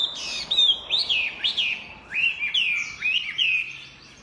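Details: Energetic song of a Chinese hwamei, with rich whistled phrases that swoop up and down in quick arcs. About eight loud slurred notes come in short bursts over four seconds, then fade at the end.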